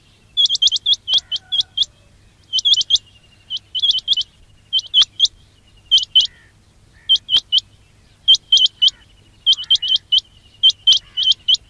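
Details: Quail calling recording meant to attract quails for trapping: clusters of three to six crisp, high, hooked chirps repeated roughly every second, with a soft background hum.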